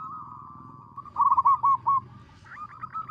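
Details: Loud local zebra dove, merbok kocak song used for luring birds: a single rapid series of about six clipped, bouncing coo notes, then fainter scattered notes, all above a steady droning background tone.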